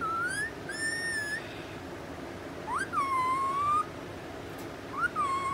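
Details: Four-month-old rose-ringed parakeet, described as angry, giving drawn-out whistled calls. Each note rises, then holds level, with rich overtones. Three calls, spaced about two seconds apart, over a faint steady background hum.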